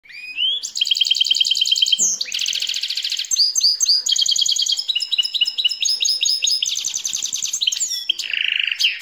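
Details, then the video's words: A goldfinch-canary hybrid sings a fast, continuous high song of bright trills, rattles and twittering phrases, changing pattern every second or so. "Гибрид щегол канарейка / goldfinch canary hybrid"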